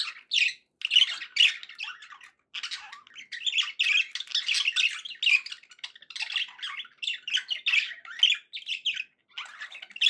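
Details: Pet budgerigars in an unbroken, chattering warble of squawks, clicks and chirps, loud bursts repeating throughout with only short pauses.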